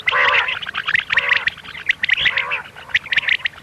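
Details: Quick series of arching, nasal quail notes, the 'miankan' call of common quail used as a night hunting lure, closely spaced with a background hum.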